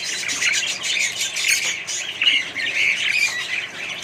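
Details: Australian budgies living in a colony with more birds keep up a raspy, squawking chatter laced with short tweets, several voices overlapping in a steady high din.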